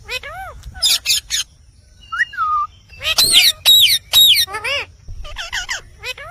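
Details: Indian parrot (rose-ringed parakeet) talking: ringing downward-curving calls, harsh screechy bursts, a short whistled slur, then a fast run of repeated bent, squealing notes.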